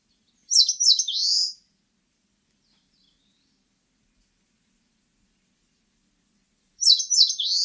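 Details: Eastern crowned warbler singing: two high, roughly one-second phrases about six seconds apart, each a quick stutter of sharp notes sliding into a buzzy, slurred ending, with silence between.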